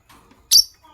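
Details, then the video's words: A single loud, very high, sharp chirp from morning lovebirds of sky blue opaline and green opaline colour, over a near-silent background. "Lovebirds Chirping Sounds"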